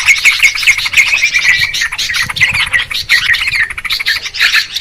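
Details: Busy calling of Yellow-vented Bulbuls (trucukan) played to lure wild birds down for trapping: continuous bright, bubbling chirps from several birds overlapping, with pulsing rhythmic notes and no pauses.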